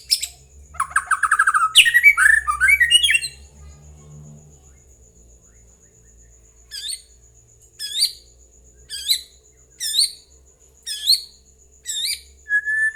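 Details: White-rumped shama song used as a lure to prompt other birds to answer and sing: a dense rapid burst of varied notes, a pause, then short high sharp notes repeated about once per second, with a faint low hum.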